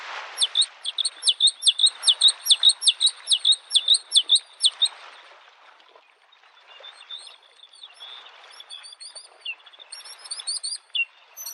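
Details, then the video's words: Spring lakeside Bluethroat song opening with a fast run of about twenty sharp, identical high ticking notes, then fading into quieter, varied twittering phrases while waves murmur steadily underneath. "the singing of the bird Varakushki"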